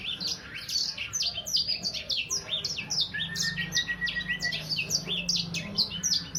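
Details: Juvenile Sangihe hanging parrot, about three months old, delivering a fast unbroken series of high sharp chirps, with one long, level whistled note held for about a second and a half midway, over faint low hum.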